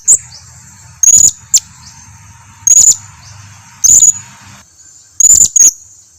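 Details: Blue-crowned hanging parrot lure call meant to provoke replies: piercing, thin, high notes roughly every 1.3 seconds, some followed by a short second note, over a low hum and a steady high-pitched tone.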